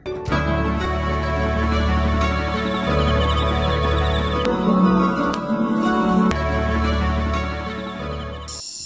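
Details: Sustained ambient music with deep bass drones and layered tones, with no animal calls audible.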